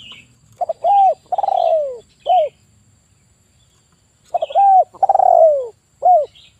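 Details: Spotted dove male, a trapping lure bird, delivers two low cooing phrases. Each phrase opens with stuttering short notes, swells into a long falling coo and ends with a short note. Faint high chirps from another bird sound in between.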